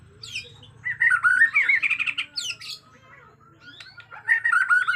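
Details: White-rumped shama from Borneo, agitated, natural forest sound: a loud fast chattering warble with buzzy rapid notes and high sweeping whistles, a pause, then another warbled burst at the end, low hum behind.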